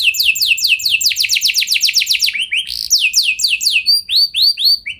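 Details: Lure song of a canary, intended to make other canaries join in with long rolling song: quick repeated descending whistles, a brief broken phrase, then slower separate downslurred notes, all high and clear.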